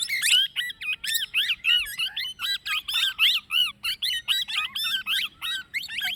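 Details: Plum-headed parakeet calling continuously in sharp, high, bent squeaky notes strung together almost without pause, bright and piercing, over a quiet low background murmur.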